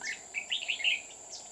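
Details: Red-whiskered bulbul singing as a trapping decoy on An Phu mountain, Huong pagoda, 20 October 2019; a quick run of three or four bright, slurred warbled notes over a high insect buzz.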